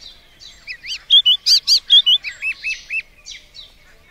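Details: White-browed scrub robin song: a rapid run of clear, repeated whistled notes, arched and rising-falling, about a dozen phrases over three seconds, loudest in the middle then fading, with a quiet background.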